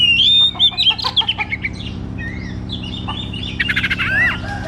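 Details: White-rumped shama, a loud singing bird used as a lure to coax a shama that sings little: rich, varied phrases of clear whistles, rapid chattering notes and sharp upslurred squeaks, with a steady low hum underneath.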